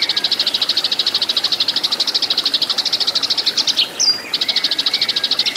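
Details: Eurasian tree sparrow in fighting song, recorded for training caged birds: dense, evenly repeated high chips forming a continuous rattle, briefly interrupted by a single sharp whistle-like chirp.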